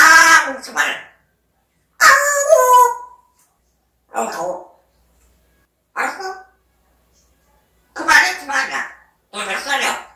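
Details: African grey parrot mimicking human speech in a quiet room: six short, clipped, word-like bursts about every one to two seconds, some raspy and some clearer, with silence between.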